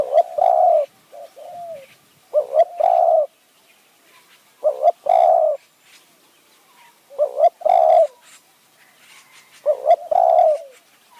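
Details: Decoy spotted dove in high mountain forest of Kanchanaburi, Thailand, luring wild doves: five evenly spaced phrases over eleven seconds, each a paired short coo then a longer low coo, with softer coos between.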